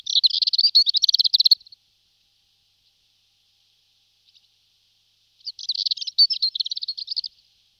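Marmora's warbler gives two brief, high, scratchy rattling phrases of rapid notes, each under two seconds, separated by a few seconds of quiet.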